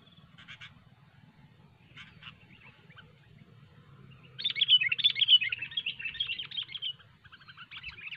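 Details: A sooty-headed bulbul sings cengkram over fighter during hobby bird trapping: a few scattered soft notes, then a loud three-second run of rapid warbling chatter, over a low steady hum.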